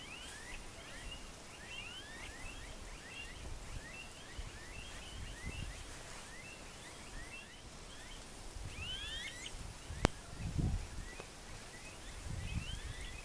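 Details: Smooth-billed ani (anu-preto) singing in the wild, giving a long series of faint, rising whistled whines, several overlapping, with soft rustling and a few louder thumps near the end.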